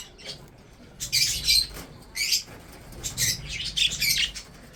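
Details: Budgerigars in a breeding setup, feeding and chirping: several loud bursts of raspy, high-pitched chatter, each lasting under a second, separated by brief quiet gaps.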